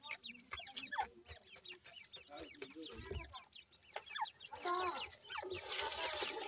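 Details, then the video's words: Gora teetar (grey francolin) chicks calling: a dense stream of thin, high, down-curving peeps, many per second, which gives way to loud rough hissing noise near the end. "pheasant bird chicks sound,gora teetar chicks ki Awaaz"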